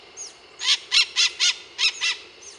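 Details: Scaly-headed parrots at Fazenda Experimental, Monte Alegre do Sul, São Paulo, Brazil: six harsh, grating squawks in a fast uneven series, with a few thinner notes faintly at the start and end.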